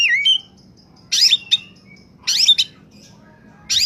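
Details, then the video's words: Oriental magpie-robin (kacer) singing in top form, a lure for wild birds: a brief whistled phrase opens, followed by three harsh, buzzy, rasping bursts spaced over about a second apart. "suara burung Kacer saat sedang on fire!!!! pancingan burung bakalan/ pikatan"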